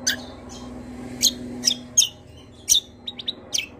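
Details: Greater green leafbird singing energetically: loud, piercing high notes come roughly every half second, mixed with short whistled slurs. A steady low hum and a faint tick are heard.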